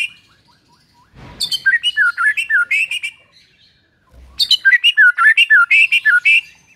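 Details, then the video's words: Song of a white-rumped shama, played as a lure to set a silent bird singing. Two bursts of quick whistled notes, each note sliding down and then up, separated by a pause of about a second. "MURAI BISU LANGSUNG GACOR DENGAN PANCINGAN INI"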